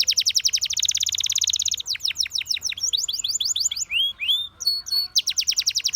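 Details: Canary singing a rapid, dense trill of repeated high notes, then slower downward-sweeping strokes and rising slurs, before returning to a fast rolling trill.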